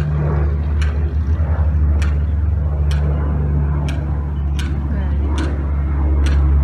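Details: Loud low engine rumble with regular ticking clicks and faint speech-like murmur, no clear animal calls.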